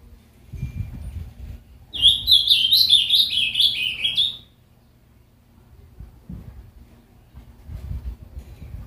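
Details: A pet ultramarine grosbeak in a cage delivers a single rapid, melodious warbling phrase of about two seconds, notes tumbling up and down, followed by quiet with soft low rustling.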